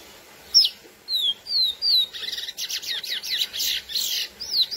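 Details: Lesser seed finch, Sporophila angolensis, performing the classic song meant to excite females: separate clean downslurred whistles, then a dense, buzzy, rattling stretch of rapid notes, finishing with a single clear slurred whistle.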